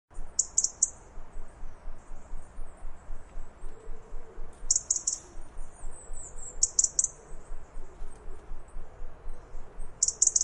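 A robin gives very high, thin, clipped alarm notes in short bursts over a low background rumble.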